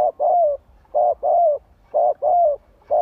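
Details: Decoy spotted dove cooing to goad wild birds into singing back, delivering soft, rounded coos in pairs, a short note then a longer, slightly falling one, repeated about once a second.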